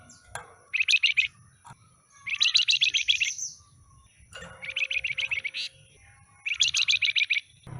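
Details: Pied fantail with a stubby tail, newly bought and held in a cage, sings four bursts of fast, high, stuttering notes, each burst under a second long and spaced by gaps of about one second.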